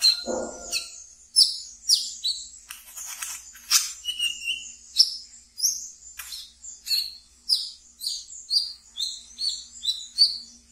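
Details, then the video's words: Captive brown-throated sunbird in ngeriwik style, used as a lure: after a brief low thud, rapid high chirps and downslurred tweets repeat at a brisk, uneven pace, with one lower whistled note. "Wiceh Ngeriwik Yang Asyik Untuk Di Pelihara dan bisa untuk Pancingan Terapi Bahan kolibri kelapa"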